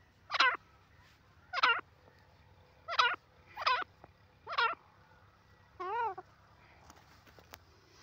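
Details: Francolin repeating harsh, rasping harmonic notes about every 1.3 seconds, five in a row, followed by a softer wavering, quavering note, with a low steady hum beneath.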